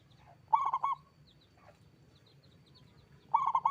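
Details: Persistently singing local zebra dove with a loud voice, giving two rolling, cooing phrases of quick linked notes separated by a few seconds, over soft low background rumble and faint high bird chirps.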